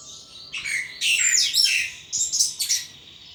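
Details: Caged thrush singing vigorously in ngeplong style: rich, buzzy warbled phrases that drop in pitch, then clipped high notes repeated near the end, over a quiet background hum.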